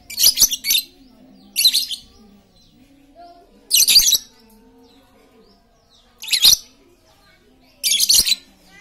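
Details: A highly chatty lovebird, played to coax silent lovebirds to sing, gives five rasping, high-pitched chatter bursts spaced about two seconds apart, each a dense cluster of scratchy notes.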